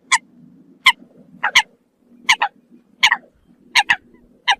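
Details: Eurasian coot calling the flock: sharp, short nasal notes given singly or in quick pairs, roughly one to two per second, over a low steady hum.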